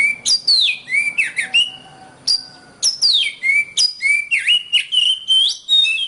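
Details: Singing Oriental magpie-robin on a long tutor recording for songbird training: energetic phrases of loud whistles, sharp drops and dipping twangs, broken by a short gap, then another fast, varied run of sweet notes.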